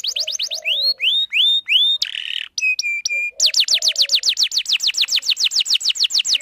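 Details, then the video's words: Lure song of a canary, for males and for young birds learning to sing: a rapid high trill, rising slurred whistles, a harsh buzz, metallic ringing notes, then a long fast even trill. "Kenari gacor panjang Cuit Cuit EMOSI, Pancingan Kenari Paud Belajar Bunyi"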